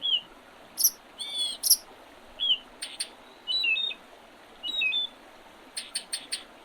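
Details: Spring birdsong by the Oredezh River, Leningrad Oblast, Russia, on 8 April 2023: short rising whistles and swooping notes mixed with very high, sharp chips in brief bursts, over a steady background hiss.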